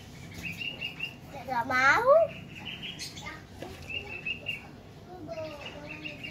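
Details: Lovebird chicks, separated from their parents, being hand-fed, give rapid wavering chirps and a burst of rising-and-falling squeaky notes with steady high chittering and background noise.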